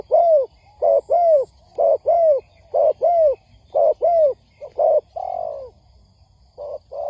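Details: Spotted dove lure recording for trapping, used to provoke wild doves into answering: low, mellow cooing in paired notes, each pair about a second apart. Notes curve downward, and the last few are longer and separate.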